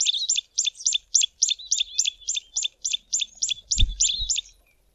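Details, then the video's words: A tawny-flanked prinia calling from bushes near a stream gives a fast series of about sixteen sharp, high notes, roughly three to four each second, with a brief low thump near the end. "TAWNY-FLANKED PRINIA calling"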